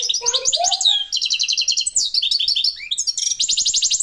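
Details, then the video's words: Parva European goldfinch pouring out a continuous, fast twittering song of sharp, metallic chirps and trills, with a brief lower whistled note near the start. "Chardonneret parva"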